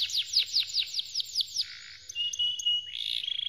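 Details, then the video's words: Canary singing a training song: a brisk series of downward-sweeping notes at about six per second, a brief low buzzy burst, a few sharp ticks and a steady whistle, then a quick high trill. "Canary 's most powerful song for training رقم 1 غناء يجعل الكناري والحسون لا يهدأ أبداً"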